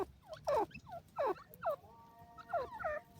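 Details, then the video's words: Grey francolin (desi teetar) kept with pigeons, giving loud, separate falling whistled notes about every three-quarters of a second, followed by softer notes over a faint steady hum. "desi teetar awaz"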